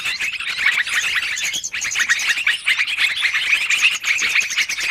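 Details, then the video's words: Yellow-vented bulbuls in a noisy long-running trapping lure: thick chorus of sharp twittering notes from several birds, briefly thinning near the middle before resuming at full intensity. "Suara pikat burung trucukan ribut durasi panjang"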